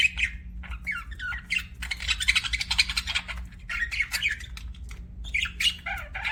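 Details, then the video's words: Budgerigars twittering busily: a broad rasping chatter, then quick rising and falling whistled chirps and squeaks, in lively continuous bursts over a low background hum. "BUDGIES CHIRPING SOUND"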